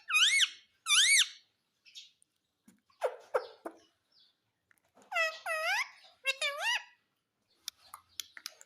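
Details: Indian ringneck parakeet kept as a talking pet, said to say mummy and papa, gives two quick arched squeaky syllables, then broad clicks and further paired rising-falling harmonic phrases.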